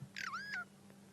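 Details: A Burchell's starling calls close by at sunrise in Sabi Sand on 28 May 2016 while foraging on the ground. It gives a single harsh note that slurs downward, then levels into a drawn-out whine.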